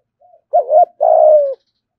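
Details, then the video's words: Caged ornamental spotted dove cooing in the thúc gù style: a faint soft note, then two loud low coos, the second long, steady and slightly falling. No other sounds. "cu gáy thúc gù"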